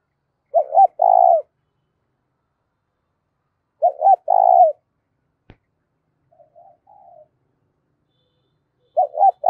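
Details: Loud, clear spotted dove coos meant to rouse decoy birds: three phrases about four seconds apart, each two short clipped notes then a drawn-out mellow coo, with a faint distant coo between them.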